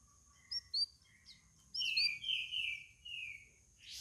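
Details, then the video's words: A cage-kept sooty-headed bulbul four days into care, answering other birds with a run of rich, bright whistled phrases, a few thin high notes first, then longer warbled slurs. "CUCAK RAWIS HASIL RAWATAN HARI KE-4 LANGSUNG BISA NYAUT"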